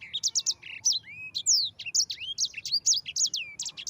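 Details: Yellow-fronted canary song used as a master recording for training other birds to sing: rapid, varied whistled and trilled phrases, short bright notes and sweeping slurs run together continuously with brief gaps, no other clear sounds.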